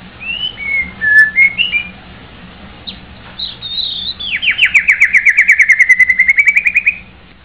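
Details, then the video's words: White-rumped shama singing: a few short whistled phrases, then a long rapid run of about twenty repeated descending notes, fast and rhythmic, settling into a steady trill. "White-rumped shama bird sing very well"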